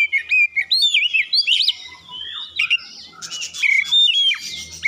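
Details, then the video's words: Oriental magpie-robin song used to get other birds singing: busy varied whistles and upsweeps, a quieter middle, then a dense burst of notes with a faint low hum beneath. "pancingan Kacer ampuh langsung gacor"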